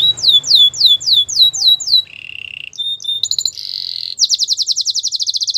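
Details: Canary training song with repeated downward-curving whistles, a low buzzy rolling trill, short metallic notes and a fast bright rattling trill at the end.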